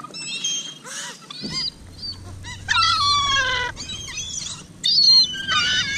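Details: Feeding gulls at Hovindammen pond, given minced chicken meat: overlapping drawn-out harmonic mewing cries and short yelps from several birds, over a low background hum.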